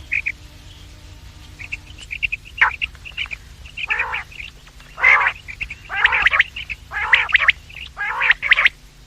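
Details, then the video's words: Quail lure call from morning and evening: scattered short, high chirps at first, then rough, buzzy bursts that grow more frequent and come about once a second, with quick chirped notes between them and a faint background hum. "The best sound of quails in the morning and evening , bater ki awaaz,batair ki awaz,Bedananing ovozi"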